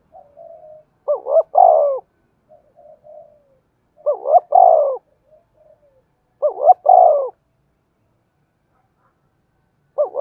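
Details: Spotted dove with a 'thổ' style voice, cooing to stir other doves to coo: three loud low phrases, each a quick double wavering note then a longer falling coo, spaced about two and a half seconds apart, with soft murmurs between.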